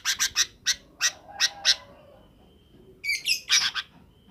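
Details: Afternoon sooty-headed bulbul calling its companions to roost: a string of sharp, scratchy chips, a pause, then a bright squeaky flourish and a few more chips.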